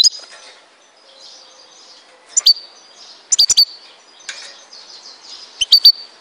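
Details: European goldfinch from Tizi Ouzou, Algeria, singing: short bursts of bright, high twittering notes with thin ringing whistles, separated by brief pauses, in a quiet setting.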